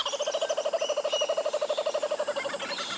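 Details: Laughing Kookaburra, Australia's largest kingfisher, giving its loud territorial laugh, a fast, rolling chuckle of mid-pitched notes, about ten per second, held steadily for three seconds.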